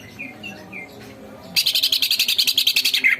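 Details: Energetic greater green leafbird masteran song. Faint soft whistles give way to a loud, rapid chattering burst of rasping notes, about seven per second, ending in a rising whistle. A constant low background hum runs throughout.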